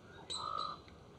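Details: Mallard giving one short nasal quack, about half a second long and steady in pitch with a faintly pulsing, buzzy texture, heard over soft background hiss.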